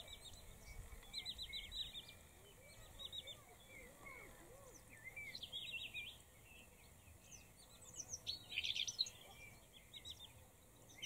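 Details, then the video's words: Male and female Eurasian blackcaps in Kherson region's Berislav district, 4 September 2019; quiet, repeated short high twitters and chirps in loose clusters throughout, with a louder burst near the end, over constant environmental hiss. "Черноголовая Славка Самец и Самка / Eurasian blackcap / Capinera"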